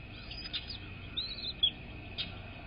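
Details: At an American bald eagle nest watched by a live camera, early morning of 10 February 2024, a few faint whistled squeals and one longer arched whistle, over steady hum and low noise.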